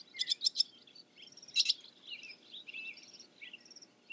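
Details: Barn swallow song: a few sharp clicking rattle bursts, then a softer run of quick warbled twitters and chirps.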